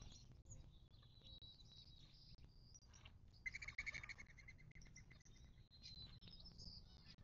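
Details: Wild birds at a desert watering hole in the western Mojave Desert of southern California, near Joshua Tree National Park: faint, scattered high chirps with a brief bright twittering burst midway, over a steady low rumble.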